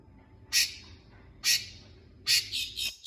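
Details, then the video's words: Long-tailed shrike used as a lure recording for shrikes that are not singing: three loud, harsh, broadband bursts about a second apart, the last followed by two quicker rasping notes, over a soft low hum. "Pancingan Cendet Macet"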